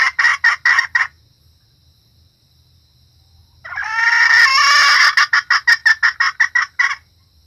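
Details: Female red junglefowl lure call for drawing in males and other hens: bursts of short rapid clucks, a pause, then a long rising harsh note followed by another quick cluck series.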